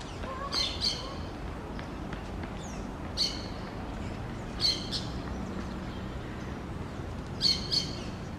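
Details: A lone green parakeet, apparently separated from its flock and trying to communicate with it, gives harsh, screechy squawks, often in quick pairs, every one to three seconds over a steady low background hum.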